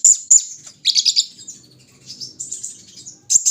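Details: Kolibri ninja, a caged sunbird put out for morning dewing: sharp high chirps, then a buzzy, fast-pulsed trill sliding downward, followed by softer thin twitters and a final burst of piercing notes.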